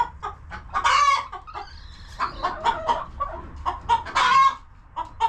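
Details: Hens in a coop on a homestead farm, clucking and relaxing: a busy stream of short clucks with louder squawky bursts near one and four seconds, several birds calling over one another.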